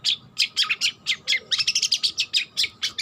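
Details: Juvenile long-tailed shrike learning song: quick, uneven chirps mixing clear notes and scratchy buzzes, about six per second, in a busy chattering stream over a faint hum.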